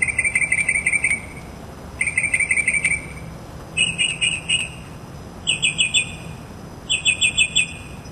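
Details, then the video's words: A mockingbird outside a window sings bright, rapid phrases, repeating each note several times before switching to a new, higher pattern, about five phrases in eight seconds; unedited recording. "Mockingbird Song"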